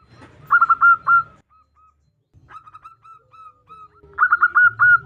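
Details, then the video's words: [4, 'Female zebra dove calling the male: a quick cluster of loud rolling coos, then faint spaced single notes, ending with another loud rapid coo series.'] "Perkutut Betina memanggil jantan"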